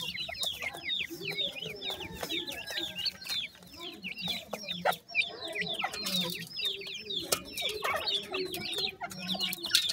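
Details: Grey francolin chicks giving a dense chorus of thin, high, downslurred peeps, many overlapping and repeated rapidly, with scattered clicks and light rustling underneath.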